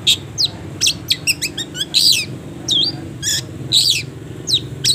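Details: Long-tailed shrike singing a training song for caged birds, full of pauses: a lively run of sharp high chirps, quick notes and swooping whistles mixed with harsh buzzy bursts, over a faint low hum.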